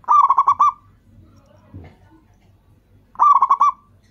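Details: Local zebra dove calling actively, recorded as a lure to make other doves respond: a phrase of six quick gurgling coos opening the clip, a faint thump midway, and a matching phrase about three seconds later.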